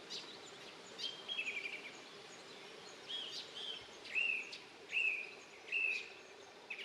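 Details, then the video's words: A Song Thrush sings short, bright whistled phrases, several repeated almost identically about a second apart, over steady hiss, in early May near its nest in Poland; finding: Song thrush. "A jeśli słyszycie taką piękną pieśń to znaczy że gdzieś w okolicy macie drozda śpiewaka"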